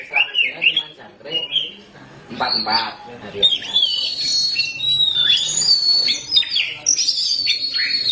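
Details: Black Oriental magpie-robin (kacer hitam), a kept bird in full song: bursts of sharp high whistles and chattering notes, then long clear sliding whistles, with people talking softly underneath.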